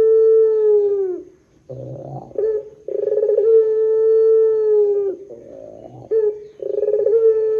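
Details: Barbary dove, pelung long-call type, used as lure sound: long smooth coos sliding down at the finish alternate with low purring rolls and quick stuttered attacks.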